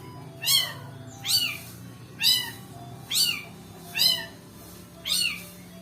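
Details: Shrike (pentet) lure song: six loud, harsh, descending squealing notes spaced about three-quarters of a second apart, each sweeping down from very high pitch, over a constant low background hum.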